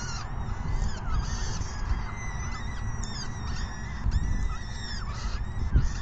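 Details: Begging peregrine falcon chicks during an evening feeding at 6 PM, 14 May 2021: a dense chorus of curved, whining calls rising and falling in quick succession above constant low background noise.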